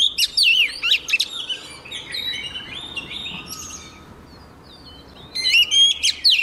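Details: Caged female white-rumped shama whose singing is meant to excite the males; sharp chirps and slurred whistles, a quieter buzzy stretch, then a loud final burst of looping whistles.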